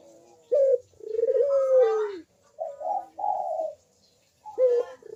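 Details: Singing Barbary dove used as a call lure for silent birds: a short note, a long rolling coo that falls at the end, then two higher burry coos and a brief start of another phrase.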